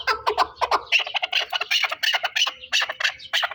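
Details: Chukar partridge of the Pamir in a busy, overlapping chatter of harsh clucking notes, closely spaced and somewhat irregular throughout.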